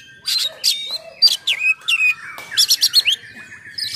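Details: Oriental magpie-robin in full, rapid song with harsh filler notes, used to provoke and tutor other magpie-robins; bursts of buzzy and whistled notes, sharp rising and falling slurs, and quick repeated chips with brief pauses.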